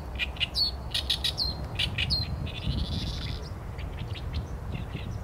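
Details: Oriental reed warbler in song, recorded using a Sony A7M3: loud, sharp rasping notes with upward-flicking whistles, then a drawn-out buzzy phrase, followed by softer scattered chattering over low hum.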